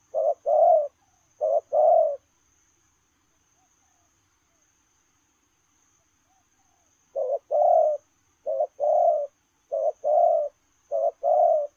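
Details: Spotted dove cooing in 'lèo rồng' style while running: two hoarse two-note phrases, about five seconds of silence, then a run of five more phrases, each a short note and a longer low coo.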